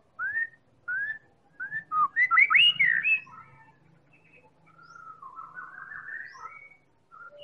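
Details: Medan-type white-rumped shama lure song for coaxing other birds into singing: clear rising whistles, then a dense loud burst of warbled notes, trailing into softer slurred phrases with a faint low hum beneath.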